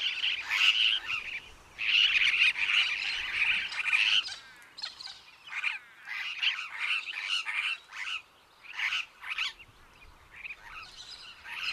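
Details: Superb parrot, or Barraband's parakeet (Polytelis swainsonii), giving raspy, warbling screeches. Long rolling bursts at first break into shorter choppy notes, uneven and about two a second, over a quiet background.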